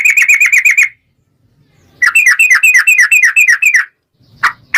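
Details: Yellow-vented bulbul in fast 'ropel' song: two quick rattling runs of bright repeated notes, about seven a second, separated by a pause, then a couple of harsh clicks.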